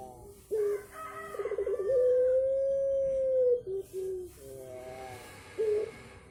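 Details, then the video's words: Unusual call of a puter pelong dove: short clipped notes lead into a fluttering stutter, then one long, steady drawn-out coo lasting about two seconds, followed by brief low notes and another short burst. "Puter pelong suara aneh"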